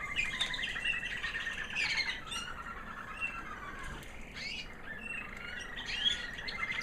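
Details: After the molt, a white 2009 American Singer canary hen sings a high, sweet song: quick pulsed trills at the start, a pause with soft twitter, then more bright trilled phrases.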